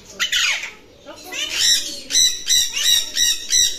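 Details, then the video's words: A big, Pakistani-type talking Alexandrine parakeet in Dhaka, Bangladesh, gives harsh, raspy screeches: one drawn-out squawk, a pause, then a run of short grating calls about twice a second. "বিগ সাইজ কথা বলা চন্দনা টিয়া"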